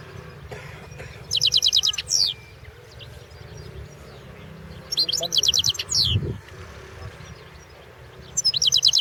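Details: Competition goldfinch entered in the 2016 World Championship in Goldfinch Song: three bursts of fast, evenly repeated high metallic notes, each ending in a downward slur, separated by quiet gaps over a steady low hum.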